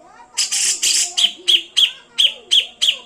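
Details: Grey-cheeked bulbul singing a rapid series of loud, sharp, high chattering notes, about three per second, after a short burst of harsh rasping.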